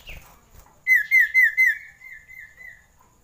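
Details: Common iora song, used to raise breeding urge: a quick run of about eight clear whistled notes, each slurring downward, starting loud and fading away.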